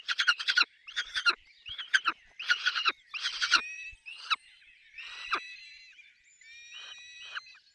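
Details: At a peregrine falcon nest holding chicks, rasping pulsed calls repeat in irregular bursts, shifting later into thinner, wavering whining notes.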